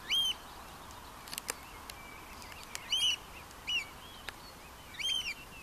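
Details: Slavonian (horned) grebe in Scotland in June, during nest building and mating, giving three high, squealing calls about two seconds apart, each a brief harmonic burst, with a softer note between and faint background noise.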